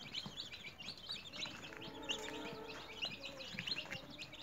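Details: A group of newly hatched domestic chicks, caged and raised indoors at home, cheeping constantly: quick high-pitched notes, many birds at once, plus a faint droning tone in the background.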